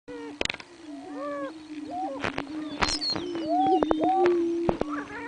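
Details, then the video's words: Greater prairie chickens on a spring lek at Buena Vista Marsh, recorded 4/21/07, booming: a steady low hooting drone runs throughout, overlaid by rising and falling whoops, cackles and sharp clucks from several birds. "Prairie Chickens booming on Buena Vista Marsh"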